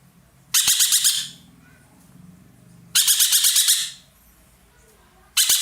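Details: Loud, grating pulsed chatters from an ekek keling roller, a cage bird used as a song tutor in Indonesia, recurring roughly every two and a half seconds with low background rumble between.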